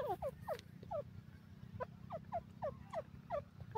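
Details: Grey francolin (tetar) calling: a rapid series of short, clear, downward-slurred notes, about three per second, over a steady low hum.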